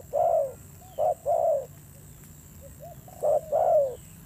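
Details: Spotted dove kept as a decoy, with a fierce voice. Two bursts of deep coos, each a short note followed by a longer falling one, are separated by a quiet pause with soft murmured notes.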